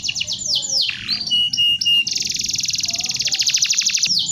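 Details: Canary song for training birds: several descending slurred whistles and short chips, then a long, fast, rhythmic rattling trill of rapidly repeated high notes.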